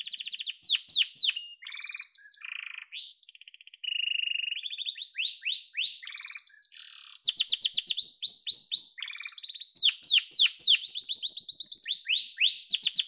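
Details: Long song from a yellow canary, mixing rapid downward-sweeping chips, flat buzzy trills and a level mid-pitched rolled tour, then loud, fast runs of curved high notes toward the close.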